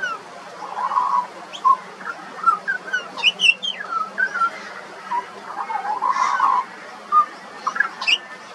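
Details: Australian pied butcherbird, a juvenile, singing a quiet, rambling medley of short whistles and warbles, interspersed with brief high squeaky notes and a few soft blurred phrases.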